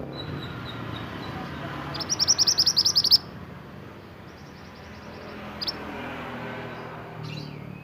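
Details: Pied bushchat from Indonesia, singing actively for training caged birds: a single brisk one-second trill of sharp high notes, followed by a faint series of softer notes and an isolated chirp amid low background noise.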